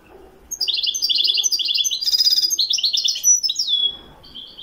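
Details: Widani European goldfinch in Morocco singing a continuous stream of chattering trills and buzzy notes, with a harsh rasping burst in the middle, finishing on a falling whistle and a soft final chirp.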